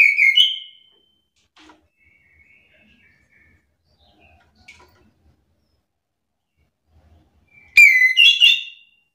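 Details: Agitated chestnut-capped thrush answering another bird's song. A short bright whistled phrase opens, then faint distant notes, then a loud rich phrase of sliding, fluty whistles with upward flicks near the end.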